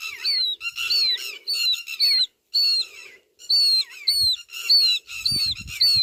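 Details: Pewit calling in bursts of shrill, slurred notes, each rising then dropping, repeated quickly with brief pauses between runs, over faint lower murmuring and a few soft thumps near the end.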